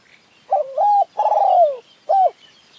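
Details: Spotted Dove in mountain forest, a caged decoy bird and a wild bird calling against each other during a decoy-trapping session; three clear mellow coo notes, the middle one long and gently falling, with short gaps between.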